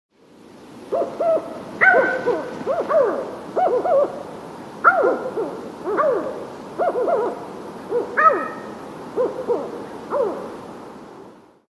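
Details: Mexican spotted owl (Strix occidentalis lucida) giving agitated location calls: a loose series of short, rising-and-falling barking hoots and whistled notes, about one per second.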